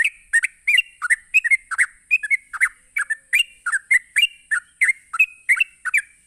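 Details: Sooty-headed bulbul in rapid ropelan song meant to draw answers from other bulbuls: a continuous chatter of bubbly, swooping chirps, around three a second, running unbroken for several seconds over a faint persistent high-pitched hum.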